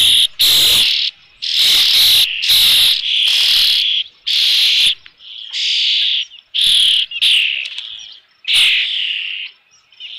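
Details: At the Dunrovin Ranch nest with a fish on 3 June 2018, about 5 PM, an osprey gives a steady series of loud, shrill, slightly descending screams, nearly back to back.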